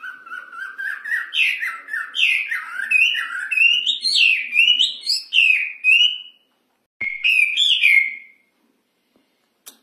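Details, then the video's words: A Wambi (hwamei) sings a loud, rich warbling song of clear whistled notes that swoop up and down, running about six seconds before a short pause and one more bright phrase. "Kicauan Burung Wambi Gacor Suara Nyaring"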